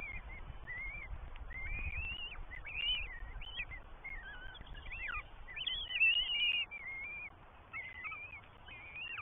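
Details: Three Northern goshawk chicks in the New Forest, England, beg at feeding time on 20 May 2023 with thin, squeaky, wavering whines in quick overlapping bursts, over a low rumble.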